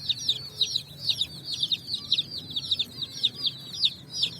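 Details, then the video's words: Brightly coloured chicks jumping and running on sand, chirping loudly in a busy chorus of piercing, downward-sweeping peeps tumbling over one another without pause. "Beautiful Colors Chicks Jumping n Running up On Sand Video Compilation With "Chicks Chirping" Sounds"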